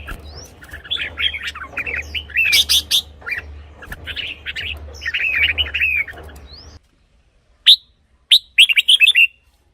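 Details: Red-whiskered bulbul song for decoy use or to excite caged birds. Busy chattering, warbling notes sound over a low hum, then after a brief silence come a few crisp, separate whistled phrases.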